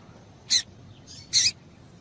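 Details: Two short, high, slightly harsh chirps from a female Yellow-bellied seedeater, about a second apart, given to stimulate males to sing; faint hiss behind.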